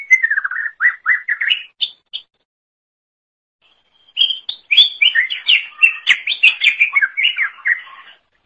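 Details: Leafbird (cucak ijo) in lively song for songbird training: a string of short falling whistles, a break of about two seconds, then a fast, tumbling sequence of bright chirps and warbled notes.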